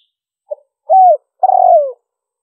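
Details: Lure call of a spotted dove meant to attract wild birds: a brief faint note, a steady coo bending down, then a drawn-out grainy coo gliding lower. Clean, silent surroundings.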